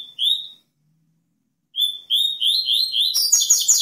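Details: Double-collared seedeater singing high, clear whistled notes, a single note and then a quickening series that ends in a dense, ringing trill.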